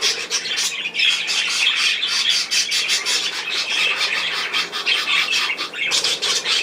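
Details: Budgerigars on 10 June 2024 chattering loudly, a thick wash of harsh squawks and high chirps in rapid overlapping bursts, with a short lull near the end.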